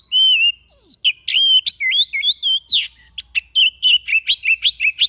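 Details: Strange, varied song from a white-breasted bird, meant as song-training material: loud clear whistles give way to twisting slurred phrases and then a rapid stream of chirpy, rolling notes repeated without pause.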